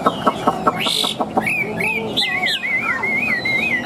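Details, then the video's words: A newly arrived Chinese hwamei sings loudly and richly, with clear slurred whistles and rolling warbled phrases, after a run of sharp clicks and knocks. "Chim Thuần Mỏ Ra Như Máy, Giọng Cực Vang Cực Chất"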